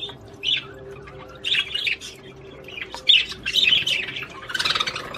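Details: Budgerigar warbling to prompt the female to mate, short bursts of squeaky, buzzy chatter separated by brief pauses, with a faint background hum.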